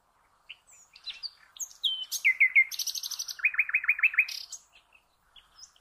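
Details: Nightingale song used to train cage birds: scattered high chirps open into a loud sequence of repeated slurred notes, a buzzy high rattle, then a rapid series of about eight identical throbbing notes before fading.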